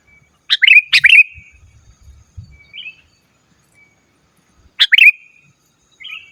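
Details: Sooty-headed bulbul singing to call opponents, also used for training caged bulbuls; bright descending warbled phrases open the clip and return near the end, with a short soft whistle between and faint low thumps.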